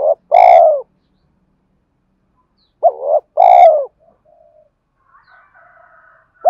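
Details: Decoy male spotted dove cooing to provoke fights and to call a mate: two phrases about 3 seconds apart, each a doubled lead note and a loud, full, falling coo. Soft, low, humming tones and a faint, thin whistle follow.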